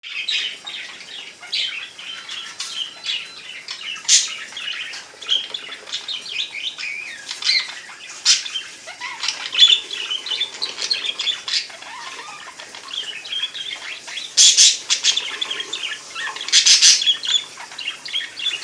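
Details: A pet budgerigar in Minnesota chatters in a steady stream of high, scratchy chirps and warbles.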